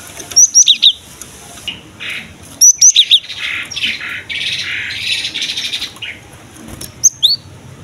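Cinereous tit singing sharp, high whistled note pairs, each slurring down, in three short bursts, with a scratchy buzzing chatter between them.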